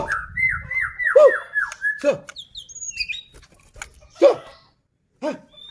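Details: Song of a White-rumped shama meant to set off other shamas: a series of four or five downslurred whistles, loud arching squeaks, a few thin high notes, then scattered short sharp calls with pauses.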